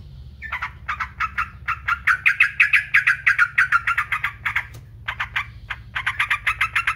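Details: Yellow-vented bulbul in a rapid, rattling run of sharp notes, roughly three per second, that builds in loudness, breaks off briefly, then resumes. It serves as a training recording to get other birds singing.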